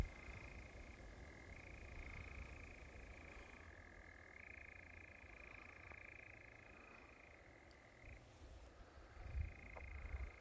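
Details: Continuous European nightjar churring on Wiggonholt Common, a dry rattling trill that drops slightly in pitch then rises again several times, fading briefly near the end; strong low wind-like rumble underneath.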